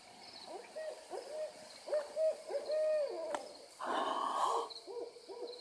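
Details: Several wild owls calling excitedly: short hooting notes with quick rising and falling bends, given in rapid overlapping series, roughly three to four per second, with a brief rush of broadband noise midway.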